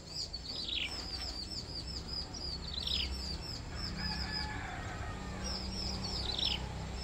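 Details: Bar-winged prinia feeding three hungry chicks; high thin downslurred chirps and short whistled notes come in bursts, with steady low background rumble.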